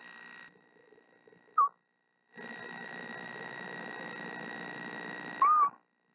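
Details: Female screech owl on her eggs in March, singing gently to the unhatched young. Two brief wavering whistled notes about four seconds apart, separated by a stretch of humming background noise.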